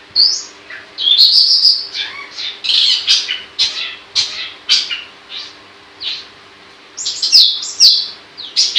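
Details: Long-tailed shrike, known locally as pentet, singing vigorously: a busy, varied run of high scratchy chatter, sharp chips and thin whistled phrases, delivered in dense bursts with brief pauses and a faint steady hum underneath.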